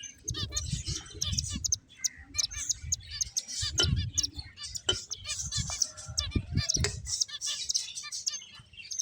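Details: Finches playing fill the air with quick overlapping high chirps and buzzy twitters in bursts. Some muffled low bumps and movement noise sound underneath.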